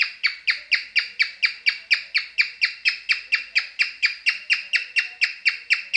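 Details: Cockatiel singing while in mating mood: a fast, steady string of about two dozen short, harsh chirped notes, roughly four per second, each bright with an abrupt downward end, over a quiet indoor background.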